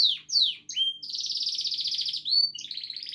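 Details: Canary singing in a happy, healthy state: quick downward-sweeping whistles, a sustained rapid buzzy trill, then a clear rising whistle and another fast trill, bright and high throughout.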